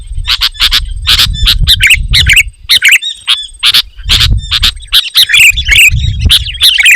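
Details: A sooty-headed bulbul sings loudly to goad rival bulbuls into singing, giving quick chirps and warbled, bubbly phrases over intermittent low rumbling noise.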